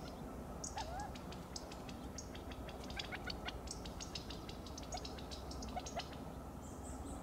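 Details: California quail in Del Monte Forest, CA, giving repeated pit-pit alarm calls as they flush from danger: rapid, sharp, high ticking notes in irregular bursts, with a faint lower note or two, over a steady low rumble.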